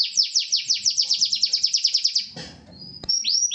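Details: Corona Gloster canary delivering a fast, evenly spaced series of about fifteen sharp downslurred chips, followed by a short pause, a thin whistle and rising sweeps.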